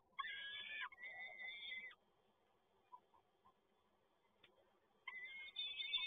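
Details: Peregrine falcon, PGE Toruń, Poland, 7 May 2022, male arriving with another prey delivery: harsh drawn-out wailing notes, one rough and one smoother, then faint soft chips before another sustained wail begins.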